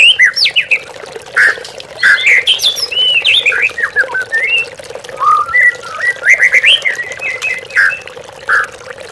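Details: Oriental magpie-robin (murai batu) song used as a lure recording to provoke captive birds into singing, with trickling water therapy: rich varied whistled phrases, rising and falling notes and quick trills in bursts, over a steady hum.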